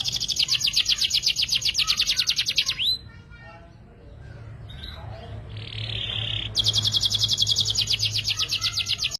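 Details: Canary in energetic, nonstop singing, known locally as gacor, used as a pancingan lure to set other birds singing: a loud, fast, rattling high trill for almost three seconds, a quieter interval with low hum, then the rolling trill resumes.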